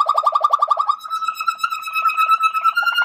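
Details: Malinois Waterslager canary: a quick series of low bubbling rolled notes gives way to a sustained, slightly rising whistled tone overlaid with a soft flutter.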